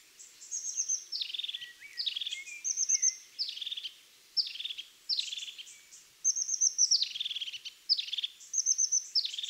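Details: European crested tit singing: a steady run of high, thin notes, each phrase dropping into a short rolled, buzzy trill, repeated roughly every second with little pause between phrases.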